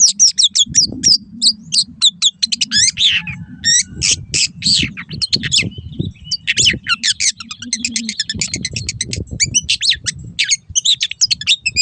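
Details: Long-tailed shrike (cendet) master song meant to get caged birds singing again: dense, continuous medley of rapid chattering, scratchy trills and squeaky notes over nearly twelve seconds, with low rumbling background noise.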